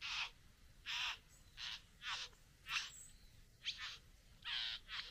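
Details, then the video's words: Satin bowerbird at the bower, courting a female: a string of softer, rough, hissing rasps, nine or so, each brief and separated by short gaps, sometimes doubled. "Bowerbird. ( Courting female at the bower)."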